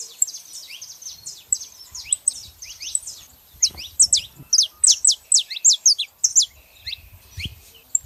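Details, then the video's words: Saffron finches, female and male, pour out rapid high-pitched notes, each a sharp downward flick, building to a loud rhythmic run, roughly two per second, then fading, with faint low noise. "canários da terra fazendo barulho fêmea e macho"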